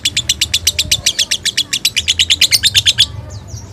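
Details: Caged bird chattering while being bathed, a fast even series of sharp, high clicking notes, about twenty in three seconds, stopping abruptly, with a faint low hum underneath.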